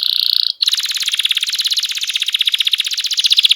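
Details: Canary singing vigorously and nonstop ("gacor ngegas"), a recording meant to coax quiet birds into singing: a high buzzy trill that breaks off briefly, then a long, fast, even rattle of repeated notes.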